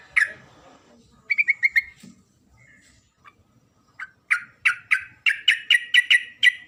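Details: Female Sooty-headed bulbul calling the male: a sharp single note, then a quick four-note burst, then a long run of loud, evenly spaced chirps that speeds into a rapid series.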